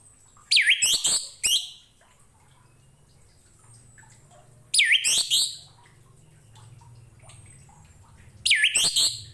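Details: Orange-headed thrush singing as a tutor recording for other songbirds: short loud bursts of sweeping, rising and falling whistled notes, separated by several seconds of quiet with a faint low hum behind.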